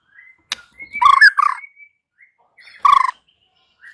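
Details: White-rumped shama: two bursts of harsh, buzzy chattering between thin, drawn-out whistled notes, with short pauses of silence.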